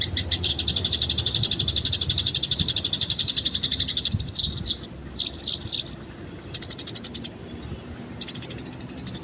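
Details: Wild Eurasian tree sparrow recorded for training, fighting noted: dense rapid chirping for several seconds, then separate short bursts of quick chirps and a few thin sharp notes, with low rumble beneath.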